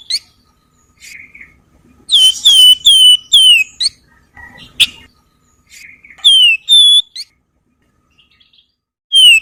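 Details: Javan wergan songbird giving a varied song recorded as a training recording for other songbirds; bright whistled notes sliding downward, repeated in quick clusters, mixed with short chirps and sharp high ticks.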